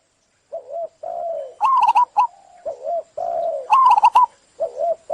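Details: Perkutut, or zebra dove, singing soft low coos that alternate with higher, rapid, trilled cooing bursts and a few sharp clicks. The phrases are spaced by short silences.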